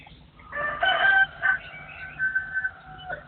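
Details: Partridge crowing in a forest setting, recorded in 2024: a harsh, rasping burst followed by a sustained, rather nasal tone that falls away at the end, over a low background hum.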